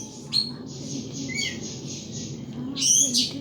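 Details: Caged pet thrush kept by a hobbyist, singing away; sparse high, sharp notes and a short thin whistle come in brief bursts over a quiet hiss, with a louder chattering phrase near the end.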